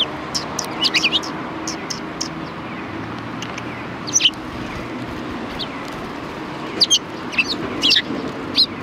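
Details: A flock of sparrows at a Japanese Tenmangu shrine on 4 March 2020 gives sporadic high chirps, clustered at the start and again near seven to eight seconds, with quieter gaps and low ambient noise.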